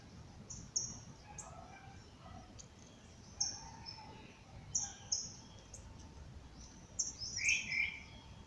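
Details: Birds calling at dawn outdoors: sparse sharp high chips spaced a second or two apart, with a brief rich twittering phrase near the end and a low hiss throughout.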